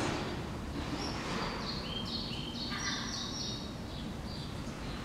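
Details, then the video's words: Song of European Pied Flycatcher (Ficedula hypoleuca) in Helsinki, Finland, June 2013: a brief, high, sweet phrase of short clear notes in the background over a steady low rumble, as a Hooded Crow fledgling drinks water. "Song of European Pied Flycatcher (Ficedula hypoleuca) can be heard in the background."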